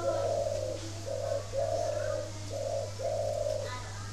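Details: Unusual-voiced spotted dove from a bird garden in Ba Vì, Hanoi, Vietnam, cooing in a rhythmic run of five low, mellow, even-pitched notes, short and long alternating, about two per second, with a steady background hum.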